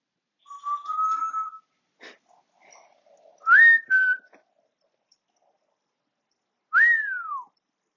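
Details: African grey parrot kept as a pet, whistling on 20 August 2022: a gently rising held note, then a quick upward-swooping whistle that settles lower, and later a rising-then-falling arched whistle.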